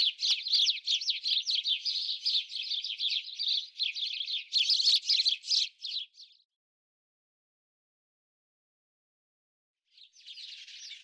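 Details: House sparrow (Passer domesticus), a bird that feeds mainly on insects and spiders in the breeding season: dense, rapid run of chirps for about six seconds, then silence, then a brief burst of chirping.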